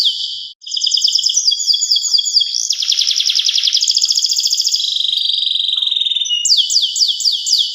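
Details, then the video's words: Singing local canary delivers a long chain of rapid trilled rolls at several pitches, one phrase flowing into the next, ending in loud looping whistled sweeps; no other sounds are present. "Pesona kenari lokal full durasi gaya"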